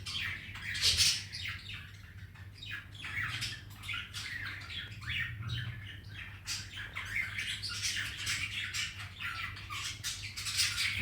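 A young cockatiel gives rapid, raspy chirps and squawks in quick bursts over a low indoor hum.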